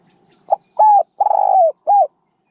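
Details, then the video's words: Single phrase from a spotted dove used for luring: quick note, level coo, long trembling coo easing downward, and one last short coo, then silence. "ສຽງນົກເຂົ້າໃຊ້ຕໍ່ (นกเขาใหญ่)"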